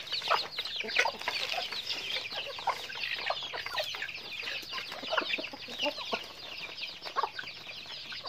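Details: Chickens in their daily activity, making a dense chorus of high peeps with repeated louder clucking bursts about every second or two over the whole stretch.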